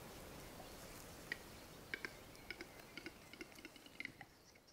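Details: A displaying male Western capercaillie at a morning lek in Mykland, Norway, in April 2019, with seven males present, gives about a dozen dry, knocking clicks over three seconds, quickening toward the end, against a quiet hiss.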